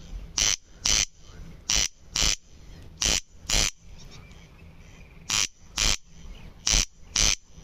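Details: Corn crake (Crex crex) repeating a harsh two-part rasp, crex-crex, about five times. The grating doubled notes come in steady pairs with short silent gaps between them, and faint background noise underneath.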